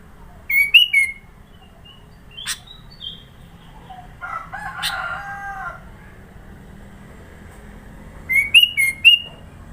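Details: Sooty-headed bulbul from Sidoarjo, East Java, Indonesia, with varied fill-in song: short runs of loud clear whistled notes at the start and end, with a rooster crowing and other faint calls in between.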